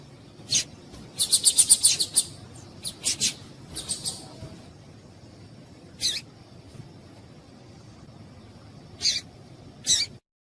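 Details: Female papa-capim (seedeater) calling to stimulate and excite males, of interest to breeders for singing tournaments; sharp high chips, a quick burst of about seven near the start, then isolated chips spaced a few seconds apart over faint hiss.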